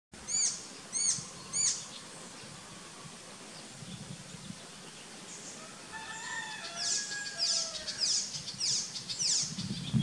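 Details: An Icterine warbler singing at the Mantingerdijk after a quiet spell gives three nasal, ringing typical notes about a second apart, then a fast, varied jumble of chattering and whistled imitations, over low wind rumble; a neighbour's rooster also calls.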